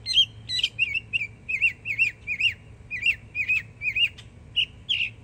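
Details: Young Northern mockingbird in Florida singing a long run of repeated looping chirps, roughly three per second, with a few sharper high notes mixed in.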